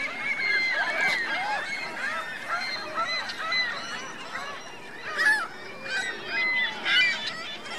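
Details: Geese with their goslings on Virginia Lake, Reno: repeated curved honks with clear harmonics, plus thinner high notes, forming a steady chatter with louder clusters after five and seven seconds.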